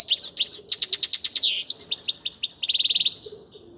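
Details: A grey-crowned goldfinch sings a fast, tumbling stream of high twittering notes. The phrases change as it goes and end in a rapid, tight trill, set against a quiet background.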